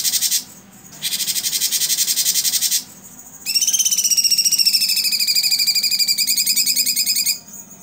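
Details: Blue-winged leafbird singing in the 'tembakan' style, used as tutor song for other birds: two dense buzzy rattling bursts separated by a pause, followed by a sustained high, rapidly pulsing trill that drifts slightly downward.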